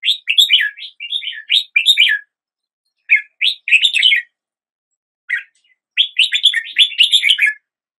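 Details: Red-whiskered bulbul song in three groups: a fast run of sweeping whistled notes, a shorter pair of phrases, then a final rapid burst, with silent pauses between.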